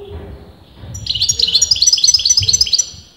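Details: Goldfinch that breeders cannot agree is male or female sings a brisk trilled phrase of repeated bright high notes, about twelve pulses in under two seconds, over soft low background noise.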